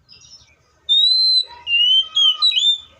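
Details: Seychelles magpie-robin singing long, clear whistled notes, the first held steady and slightly falling, then several linked whistles that dip and rise in quick succession; a faint low rumble sits underneath.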